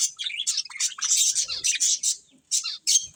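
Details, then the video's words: Eating budgies give quick high chirps and trilled twitters in a tight cluster, then fall quiet briefly before two more sharp notes. "Colourful Budgies Chirping Sounds | Love Birds Eating"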